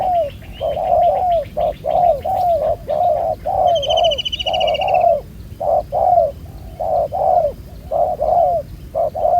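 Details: Spotted dove, a wild bird with a black neck-collar taken with a ground decoy trap and noted for good cooing: hollow, low coos in rapid two-part phrases, about one a second, with a brief high whistled chirp midway.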